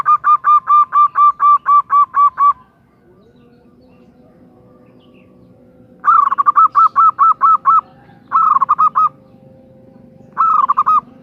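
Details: Female zebra dove calling the male: bursts of rapid, evenly spaced mellow coo notes, about ten per burst, repeated in several runs with quiet gaps and a faint steady hum underneath.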